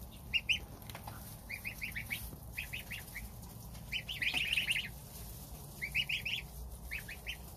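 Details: Goslings of domestic geese eating breakfast beside the mother, with the gander standing guard outside; loud, high piping peeps in short groups, one brief overlapping chorus midway.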